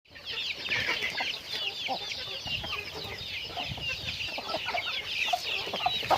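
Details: Chickens going about their daily activity, giving a dense, continuous chorus of high, overlapping chirps and short clucks from many birds, with no pause throughout.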